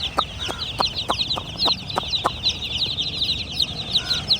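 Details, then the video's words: Chorus of baby chicks: thin, high chirps pouring out rapidly and overlapping, with a series of sharp taps in the first half and a faint lower cluck near the end. "Chimerical BABY Chicks are Doing Chirping Sounds! MURGI Ke Bacche!"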